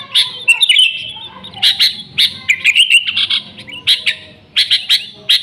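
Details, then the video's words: Lively Sooty-headed bulbul song, original with no mixed-in imitations, used to lure bulbuls; scattered sharp chirps and short slurred warbles spaced irregularly through the passage. "Suara Burung Kutilang Gacor ASLI Tanpa isian, Ampuh untuk Pikat Kutilang bikin kutilang Ribut gacor"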